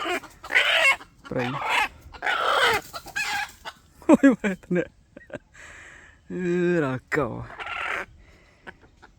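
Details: Red junglefowl in the wild, noted for a big, hoarse voice, recorded 3 May 2025: a drawn-out low harmonic call stands out after stretches of a man speaking.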